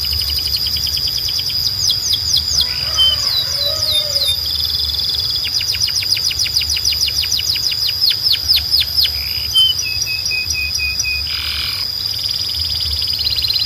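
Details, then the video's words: Belgian canary calling the other canaries to sing: long sequences of rapid descending sweeps in fast series over a sustained high tone, broken by short trilled passages and a few lower notes. "Belgian Canary Calls All The Canaries to Sing‼️ Best Canary Singing"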